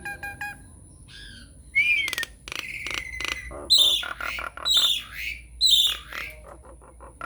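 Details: Nias hill myna lure song to stir a silent myna into singing: rapid clicks, a rising whistle, dense harsh squawks and several loud high piercing whistled calls over a faint steady whine.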